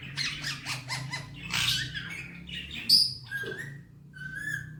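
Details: Pet male Indian ringneck talking in Hindi-Urdu; a quick string of raspy syllables, a harsher squawk, then clear sustained whistled notes near the end, one loud shrill peak midway, soft room hum throughout.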